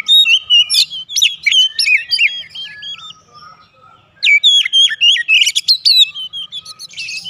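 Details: White-rumped shama song used to provoke other birds into responding: rich, varied whistled phrases with sharp chips and fast rising and falling notes in two bursts separated by a short pause, with a faint low hum.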